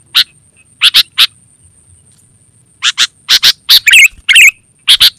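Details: Sooty-headed bulbul calls used to lure wild birds in the forest and as a master song for training caged birds: loud, sharp, harsh chips given singly and in quick pairs, with some rougher chattering notes, plus a faint constant high whine.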